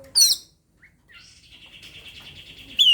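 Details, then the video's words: Oriental magpie-robin challenging a rival to fight, its song used as a lure to set quiet birds singing: loud, sharp, high sweeping whistles, then a long buzzy trill held steady, closing with another bright downslurred whistle. "Kacer ngajak gelut. bagus buat pancingan burung malas bunyi"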